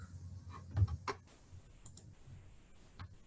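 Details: Scattered clicks, taps and soft low knocks in a small room, like typing or handling objects, with no animal sound.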